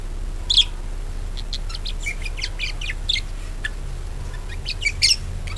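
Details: Budgerigar chatter used to lure other budgerigars into singing: scattered sharp, high chirps and short warbled notes at irregular intervals, with a few louder squeaky bursts over a steady low hum.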